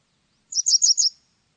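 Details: Japanese wagtail recorded in 2020: a short, clean burst of four high, slightly buzzy chirps in quick succession lasting under a second, against a silent background.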